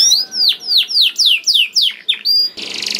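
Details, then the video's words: Canary lure song meant to get canaries singing: a rapid series of about eight bright, high, descending whistled sweeps, roughly three per second, ending in a sustained tone and a burst of dry rattle; canary. "Kenari Gacor Mewah Langsung Nyaut Gacor Dor Di Pancing Kenari Ini Bikin Emosi || Voice of Canary"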